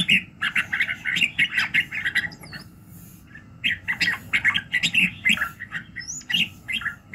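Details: Morning voice-training song of a red-whiskered bulbul: two loud bursts of rapid, jaunty warbling split by a quiet gap, with a few thin, high whistles in between.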